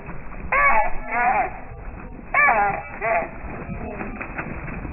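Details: Heated territorial fight between Eurasian coots at a pond where a coot family with three almost grown chicks has moved in; two pairs of strident, nasal barking calls, each in a double burst, separated by quieter splashy noise.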